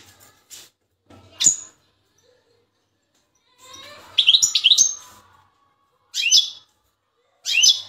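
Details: Large-sized Turkish European goldfinch in full training song, singing in short bursts of high, liquid twittering with tinkling, buzzy notes, separated by brief pauses.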